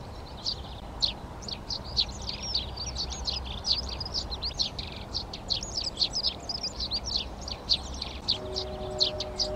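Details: Garden in Přerov, 19 March 2020: Eurasian tree sparrows settling into nest boxes give a dense, continuous chatter of rapid high chirps, several birds overlapping, with a faint low tonal hum near the end.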